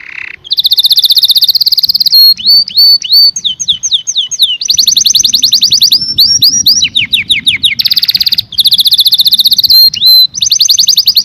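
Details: Canary in full song, a loud continuous series of rapid trills, rolling tours and swooping whistled notes with brief breaks, all high and bright.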